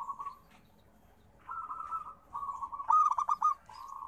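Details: Local zebra dove (perkutut) cooing: short purr, pause, then a smooth trill leading into a staccato run of five or six quick notes and a final soft coo.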